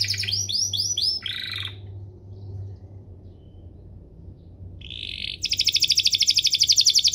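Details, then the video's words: Canary song used as a master recording to teach young canaries and to prompt them into full song; rapid repeated downward-sweeping notes and buzzy trills, a quiet pause mid-phrase, then a fast pulsing trill. "Suaranya MUDAH DITIRU, Efektif untuk Masteran Kenari Paud dan Pancingan kenari biar gacor"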